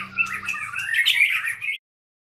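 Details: White-rumped shama at a breeding site giving a short, dense burst of rich warbled and whistled notes rising toward the end, over a low steady hum, then abrupt silence.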